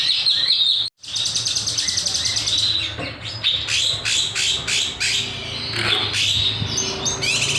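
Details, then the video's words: Kinoy bird, master lure recording, singing gacor and nembak with sharp beset phrases. A dense run of high, sharp chirps and quick slurred notes, broken by one short silent gap near the start, with low background hum. "Masteran / Pancingan Burung Kinoy Gacor, Nembak, Beset Tajam"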